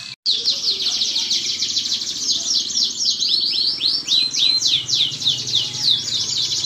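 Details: Canary song as a lure for canaries: after a brief gap, a long dense high trill develops into rapid looping downslurred notes about three to four per second; low background hum.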